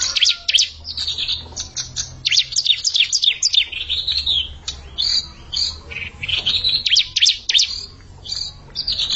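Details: Young bar-winged prinia provoking an established rival sings long stretches of rapid, shrill, chattering chirps broken by short pauses, busy and unrelenting over several seconds.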